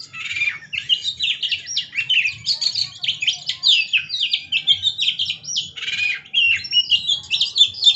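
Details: Oriental magpie-robin in vigorous song while dancing: a dense, continuous stream of loud chirps, trills and scratchy whistled notes, rapidly varied and pulsing without a break, over a faint low hum.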